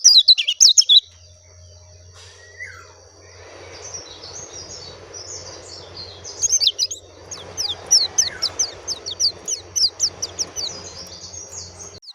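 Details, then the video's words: Oriental white-eye (pleci, dakun type): a short loud chirp burst opens, then soft low hum and faint twitter, building to a long series of high, quick, downslurred chirps repeated about three per second. "SUARA ASLI BURUNG PLECI DAKUN JERNIH"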